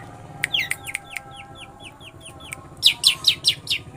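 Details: Long-tailed shrike singing a full repertoire in lovebird imitation: a loose series of thin, downslurred squeaks, then a burst of five loud, harsh, buzzy chirps in quick succession at the end.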